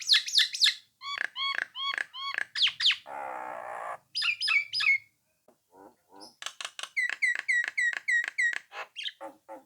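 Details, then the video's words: Nias hill myna singing to provoke rivals into answering and joining in: loud rising whistles and chirps in repeated phrases, a brief harsh rasping noise midway, then a fast series of bright, evenly spaced whistled notes. "suara jalak nias gacor mancing lawan agar nyaut dan ikut ngoceh"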